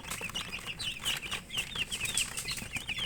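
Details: Domestic chicks (murgi) peep while they feed, giving a rapid run of thin, high, downslurred chirps from several birds, with soft pecking and scratching clicks underneath.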